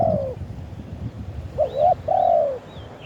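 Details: Spotted dove in the wild, recorded live, singing its khan yon ha coo. One falling coo ends, then after a pause a rising hooked coo leads into a long, smooth, descending coo. Soft high bird chirps and low rumble are heard behind it.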